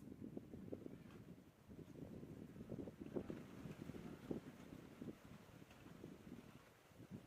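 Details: Low gusty wind rumble buffeting the microphone, with no bird or other animal sound.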